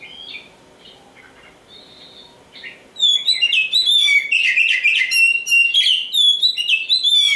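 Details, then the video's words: Black oriental magpie-robin (Kacer Hitam), kept as a contest hopeful, starting with quiet scattered whistles, then breaking into a loud, fast, jumbled song of bright whistled notes, chirps and trills. "Nyanyian si "Kacer Hitam"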